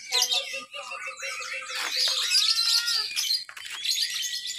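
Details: 'Ngekek' song of a lovebird at a Sunday practice competition held at an irrigation site in Papua, 31 October 2021: sustained piercing chatter with sliding whistles over quieter low clucking notes and faint voices.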